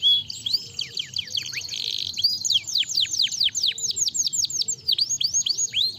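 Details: Canary chirping meant to rouse a lazy canary into song: rapid series of high downward-sweeping notes, repeated several per second in rolling bursts, with a brief buzzy trill in between. Soft low hum in the background.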